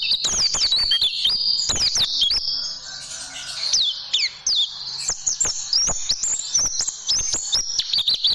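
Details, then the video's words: Oriental white-eye (pleci) in a tutoring recording for training caged birds: fast, high, thin twittering with sharp up-and-down chirps. The bursts come in dense runs, with a brief quieter gap near the middle. "Masteran Burung Pleci Dan Tembakan Super Ampuh Pleci Juara"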